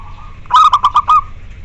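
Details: Zebra dove of the natural local type singing, used to stimulate and train doves that are reluctant to sing; one short phrase of about five rapid, clipped cooing notes at a steady pitch, the last note drawn out slightly longer.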